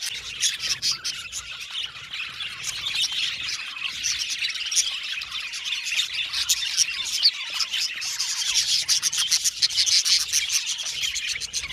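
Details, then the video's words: Budgerigars chirping and singing as a group in an aviary colony of Australian parakeets; thick, fizzy chatter with rapid clicks and tweets, swelling slightly louder toward the end. "Budgies singing and chirping sound"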